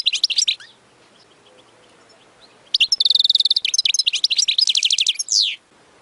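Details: Song of a European goldfinch meant to teach young birds to sing, a brief twittering burst, a pause, then a long run of rapid repeated chirps and a buzzy trill ending in a descending sweep.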